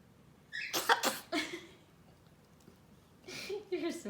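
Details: A female pet blue-and-yellow macaw makes fake coughs: a quick run of harsh, breathy, cough-like bursts, a pause, then a short raspy series of coughs again; a person's voice follows in a small room.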